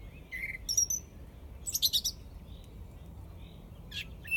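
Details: Song thrush in Izmailovo giving a short whistle, a thin high note, then a burst of squeaky chattering notes and a later sharp flourish, against steady low background hum.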